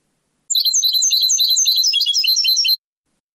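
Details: European goldfinch performing Moroccan Sebtaoui song from a rare old cassette. A brisk, liquid chatter of sharp chirps and trills runs for over two seconds, about 214 notes a minute, with silence before and after.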